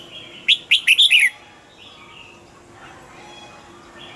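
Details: One spirited phrase of five fast, liquid chirps from a caged red-whiskered bulbul, followed by near-silence with only faint distant calls.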